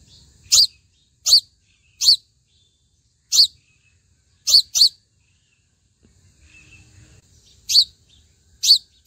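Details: Sunbird at its nest gives sharp, high, clipped chip notes, eight in all, at irregular intervals of roughly one second, with a faint low rumble between them.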